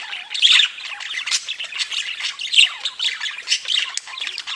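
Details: Several budgerigars singing and tweeting together: dense, continuous chattering warble of rapid high chirps, squeaks and trills, with a few sharper louder notes standing out.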